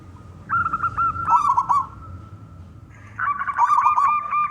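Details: Local zebra dove with a big voice, used to lure others into singing: two bursts of layered cooing with quick staccato notes over a steady tone, separated by a quieter gap.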